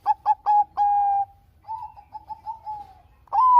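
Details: Zebra dove of the Bangkok type, a frequent singer, recorded as a lure to make quiet doves sing: four rapid hiccuping notes run into a long steady coo, then softer wavering coos and a rising final note.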